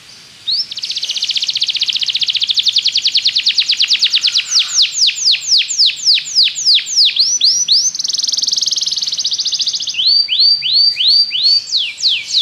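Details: Belgian canary singing to coax other canaries into song: a fast rolled trill, slower arching sweeps, a buzzy held passage, then repeated rising-and-falling whistles.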